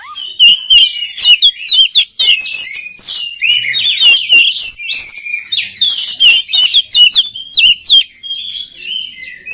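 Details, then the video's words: Oriental magpie-robin singing to stimulate other birds: loud, varied phrases of sharp whistles, buzzy notes and rapid chirps, flowing almost without pause before ending in softer notes. "SUARA KACER PALING DI CARI UNTUK MELATIH MENTAL KACER LAIN AGAR CEPAT GACOR"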